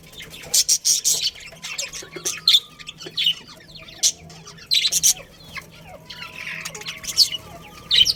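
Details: A budgerigar breeding pair in a colony chirps in spaced loud bursts of high harsh notes, with soft warbling and twittering between them and a low steady hum beneath.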